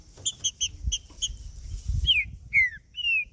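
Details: Green-winged saltator male, macheando singing meant to warm up a male bird: a few short high notes spaced out, then three loud slurred whistles, falling and gliding, over steady low background noise.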